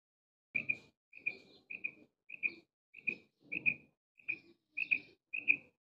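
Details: A single quail calls in a context of quail hunting: clear, sharp, whistled double notes repeated about every 0.6 seconds, nine calls in a row, over near silence.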